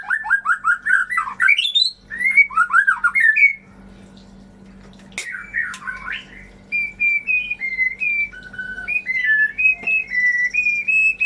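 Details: Song of a white-rumped shama, played to spur silent or off-form birds into singing: fast rising and falling whistled phrases, a brief pause, a sharp click, then sustained wavering whistles; constant low hum throughout.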